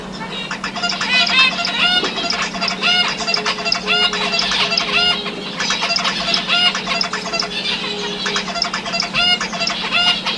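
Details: A male zebra finch sings his courtship song to an uninterested female: quick nasal, buzzy notes strung into repeated motifs.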